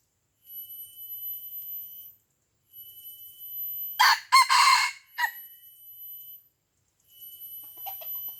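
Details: Red junglefowl of Aceh, Indonesia, fighting a decoy rooster on first descent to the lure: one hoarse crow of several clipped syllables, then a brief trailing note, against continuous shrill insect drones.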